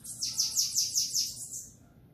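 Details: Bananaquit song in the Belga style: a rapid run of about seven piercing, high, downward-sliding notes evenly spaced, trailing off into a softer fading tail, with a faint low hum behind.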